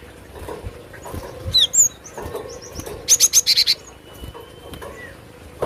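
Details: Cinereous tit, called glatik batu, singing vigorously for use in luring birds. Scattered high slurred whistles lead into a clear burst of five buzzy chips midway, with softer thin notes and faint background noise.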